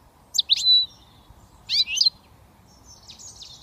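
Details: Young British European goldfinch just starting to whistle: two short bursts of high, twittering, slurred notes, one ending in a thin sustained whistle, then a fainter scratchy phrase, over a quiet low hum.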